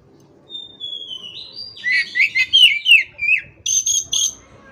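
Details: Oriental magpie-robin in full song: a long falling whistle, a rapid series of loud slurred whistled notes about three per second, then sharp high chattering bursts.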